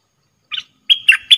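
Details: Dok taeng bird used as a decoy in Thailand to lure wild birds down, though the wrong bird came in first: a short buzzy chirp, then three bright, high, clipped notes joined by a steady whistled tone.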